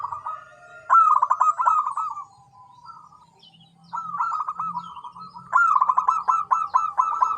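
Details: Zebra dove singing long runs of quick, purring, staccato coos that roll on for over a second at a time, pausing briefly before resuming louder; faint higher chirps and a low murmur sound in the background.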